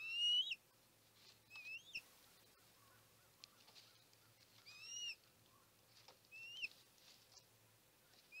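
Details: Osprey at the Chesapeake nest, 23 March 2018, around a large food delivery to the female: repeated short, sharply upslurred whistled yelps in loose series, some loud and some distant, over a steady low hum.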